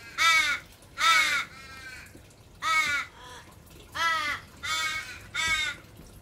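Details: An adult Australian raven, nipping and pushing a recently fledged young that begs rather than feeding itself, gives six loud, harsh, slightly falling caws about a second apart, with softer, thinner calls between.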